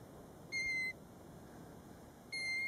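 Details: Two clear, flat whistled notes, each under half a second, from a European golden plover close to its nest seven feet from a road at Båtsfjord, Norway, recorded from inside a car; otherwise quiet.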